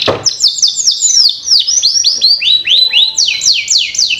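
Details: Lure song for young canaries: continuous cascade of high swept whistles and rolling trills, notes repeating several times a second with a faint low tone near the end.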